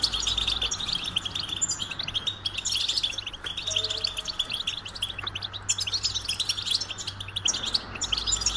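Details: Long, rolling goldfinch song of dense high chirps and trills, jingling and buzzy, delivered nonstop throughout, with a soft steady low hum beneath.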